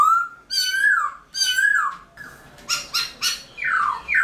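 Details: Black-throated laughingthrush (Garrulax chinensis), caged, singing in early morning: drawn-out harsh whistled notes that rise then fall, a series of short rasping squawks, then a falling buzzy slur and a final sharp note.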